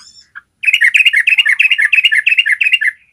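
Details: Yellow-vented bulbul giving a long ropel trill, used as a training recording for caged bulbuls: after a few faint notes, a fast run of bright, bubbling double notes repeats steadily for over two seconds, then fades.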